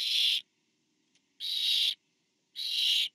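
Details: Barn owl hissing screeches at a nest on 24 September 2015 while a parent delivers to owlet four: three loud, noisy half-second bursts about a second apart, with a tiny click between and a faint low background hum.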